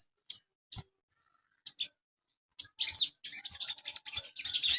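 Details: Asian pied starling, a caged bird, in a master recording for training cage birds: sparse high, sharp chirps at first, then a dense run of rapid, jumbled twittering notes toward the end.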